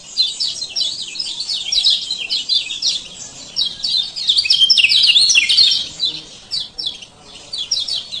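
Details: Ciak ciak calls of a male kecial kuning from Lombok, a lure recording for birds that stop singing: continuous high-pitched scratchy chirps in quick uneven bursts, peaking loudest near the middle.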